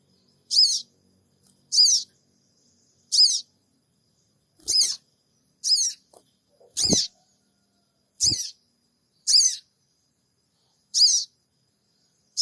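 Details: Sooty-headed bulbul lure recording from Purbalingga, Indonesia, made with an Android phone: a long run of about ten high, scratchy 'cingik' squeaks roughly every second, with occasional low knocks.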